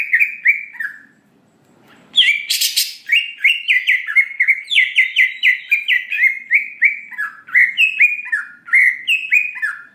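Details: Greater green leafbird lure song, intended to rouse an emotional reply: a few whistled slurs, a brief silence, a rasping burst, then a long energetic stream of rapid, overlapping whistled notes.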